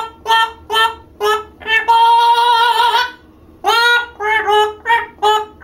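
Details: Male 9-year-old pet mealy amazon singing indoors in a rich, voice-like tone: several short notes, a long note held over a second, then more short rising phrases, in an otherwise quiet room.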